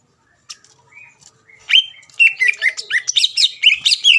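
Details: Greater green leafbird song used to goad rivals into answering: after a quiet start with a few soft notes, a sharp rising whistle leads into a dense, fast tumble of varied chirps and slurred whistles.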